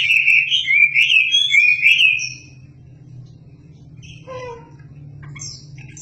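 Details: Wambi, an Indonesian songbird, in energetic song offered as tutor material for shamas: a rich warbling burst of quick chirps and trills for about two seconds, then quieter scattered notes over a steady low hum.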